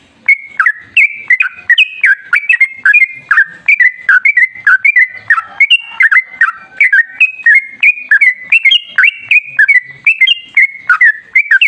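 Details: Sooty-headed bulbul, a lively, continuous long-running song used as a lure to set other bulbuls singing: rapid bubbly whistled phrases, rising and falling notes repeated without pause for the whole stretch.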